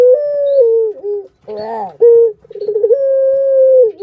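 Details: Caged Barbary dove giving lure calls for other doves: a long smooth coo dropping in pitch, a short harsher upswept note, then a rapid rolled stutter into another drawn-out level coo.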